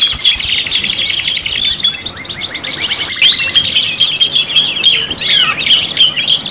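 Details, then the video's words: Five-in-one canary lure song: a long buzzy rolling trill for about two seconds, then a quieter stretch of varied sweeping notes and rattles, rising again toward the end. "PANCINGAN KENARI 5 IN 1 | CANARY SINGING"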